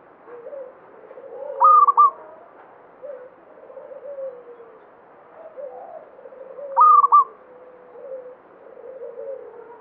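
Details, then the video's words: Local zebra dove singing actively in banyumili style delivers two loud, stuttering coo phrases about five seconds apart, with a chorus of softer, lower coos filling the gaps. "Perkutut lokal banyumili suara gacor"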